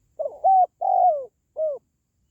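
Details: Spotted dove call, a recording played to encourage pet doves or to lure wild ones: one phrase of four low cooing notes, a short stuttered coo, a loud rounded coo, a long falling purr, then a brief final coo, in silence.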